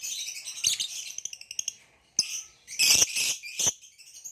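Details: Green hybrid male Nyasa lovebird with a Lilian's lovebird, caged, giving sharp high chirps and squeaky twittering bursts in irregular clusters, loudest near the end, with short gaps of near silence between.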